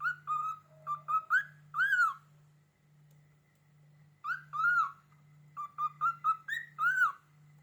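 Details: Indoor cockatiel on a cupboard, set off by a finger scraping its door, whistles phrases of short clear notes, some flat, some rising, ending in a loud arched whistle, then pauses and repeats; steady low hum throughout.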